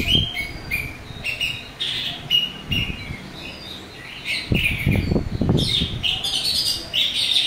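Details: Orange-headed thrush in loud, continuous singing with a rough, varied repertoire, meant to provoke other thrushes into responding: short whistled and chattering notes in quick bursts, mixed with loud knocks and rustling thumps.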